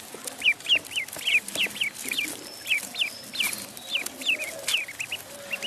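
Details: Short high-pitched peeps from a duckling in the pond, roughly one a second, thin downward-curving notes over steady background noise.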